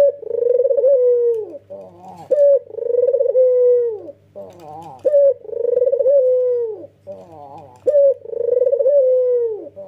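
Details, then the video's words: A male white red-eyed dove (puter) gives long, full nodding coos about every two and a half seconds, each a sustained low note with a brief stuttering lead-in, under a faint indoor hum. "BURUNG PUTER PUTIH MATA MERAH JANTAN GAGAH PERKASA"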